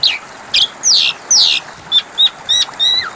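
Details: Asian pied starling song used as a lure to get silent birds singing again: sharp falling whistles and slurred high notes in separate bursts, with short pauses between phrases.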